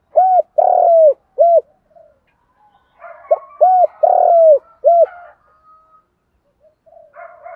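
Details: Spotted dove used as a decoy, calling in the morning to lure wild doves. It gives two phrases of soft, low hooting coos, short notes around one drawn-out coo, with faint chirps of other birds in between.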